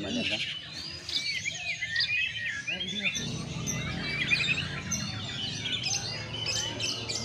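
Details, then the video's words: Captive white-rumped shama during a strong sunbathing session meant to open up its voice and bring out its mimicked fill-in phrases. It gives a dense, fast run of varied whistles, trills and sharp chirps, and background noise is audible. "terapi menjemur kuat. agar murai batu suara nge plong bongkar isian.."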